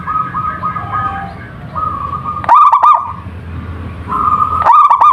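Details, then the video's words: Local wild zebra dove in full song, two loud rolling coo bursts about two seconds apart, set among drawn-out level whistles and a deep background hum. "perkutut lokal gacor / suara merbok suara perkutut merdu"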